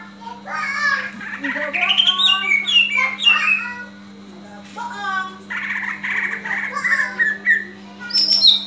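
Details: Fighting call of a greater green leafbird, aimed at building other leafbirds' fighting spirit; loud varied chattering and rising slurred whistles in bursts, ending in a sharp high whistle, over a steady hum.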